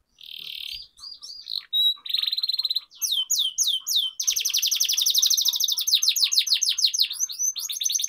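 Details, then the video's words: Canary singing a lively 'gacor ngerol' rolling song, played to lure lazy canaries into singing. High, bright notes: buzzy trills, quick chirps and swooping whistles, then long, rapid rolling trills. "Pancingan Kenari Gacor Ngerol Ini Ampuh Bikin Kenari Malas Jadi Gacor, training canaries"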